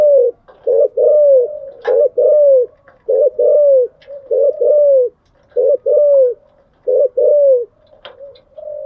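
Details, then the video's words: Kept spotted dove cooing in the morning: steady phrases of a clipped coo followed by a longer, slightly falling coo, repeated about seven times, loud and clear with brief pauses. "Tiếng chim gáy buổi sáng"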